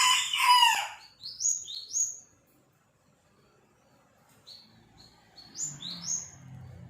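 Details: Young sirpu bird, a juvenile learning to sing. A harsh, scratchy burst opens, then short, high, upward-sweeping whistled notes in loose pairs. After a quiet gap, more rising whistles, over a faint low hum.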